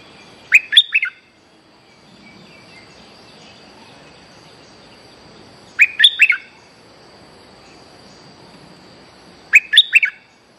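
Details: Luring song of a young, energetic bulbul: three matching bubbly phrases of a few quick, liquid notes, each roughly four to five seconds apart, with a soft hum in between.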